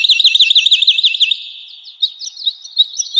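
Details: Woodlark song used as a training recording for cage birds: a fast, even trill of repeated high looping notes for over a second, then sparser sharp chirped notes after a brief lull.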